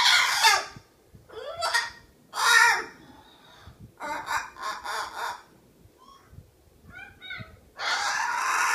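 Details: A pet Miligold macaw being vocal and running its beak: a string of short, harsh, grating squawks in irregular bursts, some with ringing tonal layers, ending in a longer loud rasping squawk, with short pauses of near-silence between them.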